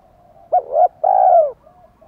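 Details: Spotted dove cooing, used by Vietnamese bird keepers to provoke wild males into cooing: a short doubled note followed by a long, loud, slightly falling hollow coo, over a soft background hum.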